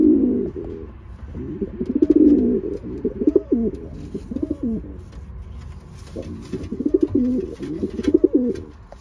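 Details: Racing pigeons being paired, repeated low rolling coos in bursts of about two seconds with pauses between, a loft with scattered clicks and rustling.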